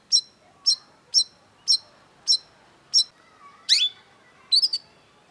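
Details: Vigorously singing long-tailed shrike (cendet), a masteran recording: six crisp high chips evenly spaced about every half second, then a rising sweep and a quick doubled note.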